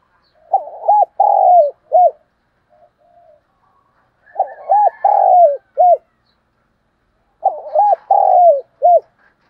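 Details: Decoy spotted dove calling in the morning, three low mellow coo phrases about every three and a half seconds, each with short notes, a long sliding middle coo and a brief ending note.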